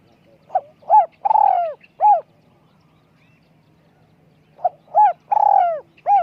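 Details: Spotted dove with a small voice for decoy luring repeats its phrase twice, roughly three and a half seconds apart: short note, curved coo, long rolling purr, curved closing coo, with quiet background.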